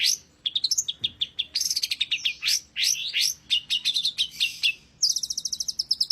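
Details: Long-tailed shrike, called pented locally, singing energetically in an Indonesian songbird-keeping setting: a quick run of short rising sweeps and sharp chirps, then a dense burst of varied high notes, ending in rapidly repeated bright clicks.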